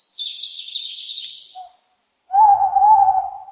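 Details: Owl hooting: a single long, steady, slightly wavering tonal hoot of about one second, following a burst of high, busy songbird chirping.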